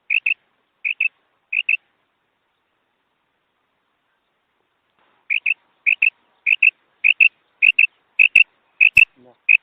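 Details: Female quail calling, a sound meant to lure birds for hunting: sharp paired high notes, three pairs, then a pause of about three seconds, then a quicker run of pairs, with a few sharp clicks near the end.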